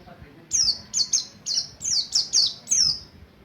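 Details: Buxtoni mountain white-eye learning ngalas ngerol song as a lure: eight sharp, high chirps, each sliding downward, delivered about every third of a second.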